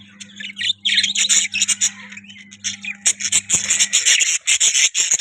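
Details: Budgerigars chattering in fast, continuous bursts of scratchy chirps and squeaky notes, growing busier toward the end, over a faint steady low hum.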